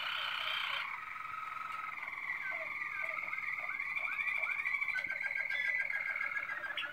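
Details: Waterslager canary, known as Malinois, singing in 2016: a steady whistled tone carries rapid rising slurred loops, then breaks into quick rolling pulses near the end.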